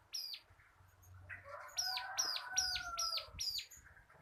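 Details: Local crystal-type bar-winged prinia tutor song for cage birds: one arched note, a lower warbling phrase, then five quick bright arched notes in a row, with low background thumps.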